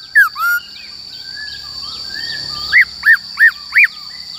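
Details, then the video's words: Black-throated laughingthrush singing its wild-type song for voice training of young and wild-caught birds: two slurred whistles, a soft pause, then four loud arched notes evenly spaced about a third of a second apart, over a faint steady whine. "Khướu Bạc Má HÓt Giọng Rừng Bao Phê"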